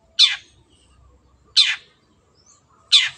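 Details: Clear recording of an energetic long-tailed shrike used to train other birds: three grating, descending screeches at regular intervals of roughly a second and a half, in quiet surroundings.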